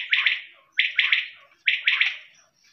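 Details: Quail calling: three short bursts, each made of two or three quick harsh pulses, repeated about every second in a clean, quiet setting.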